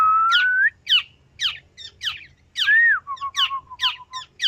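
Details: Singing black-naped oriole mixing smooth rising whistles with harsh, scratchy downward notes, ending in a rapid series of short, even whistled notes.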